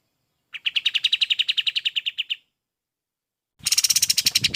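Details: Golden-bellied gerygone used for training other birds delivers a brisk two-second trill of high, evenly spaced chips. After a pause, a loud, harsher burst of chips mixed with broad noise follows.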